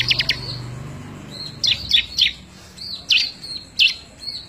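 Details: Bar-winged prinia, recorded as a tutor song for other birds, May 2017: spaced bursts of shrill, high chirps every second or so, each a short sharp cluster over a low background rumble.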